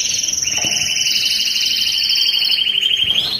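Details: Excited canary in breeding-stimulation song: one continuous fast pulsing trill, rising slightly, with a high harmonic above, steady and loud throughout.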